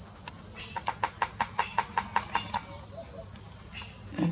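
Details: Bearded woodpecker drumming loudly in March in Botswana, banging away: a rapid series of about thirteen sharp, even knocks over roughly two seconds, then silence, against a constant high, shrill insect chorus.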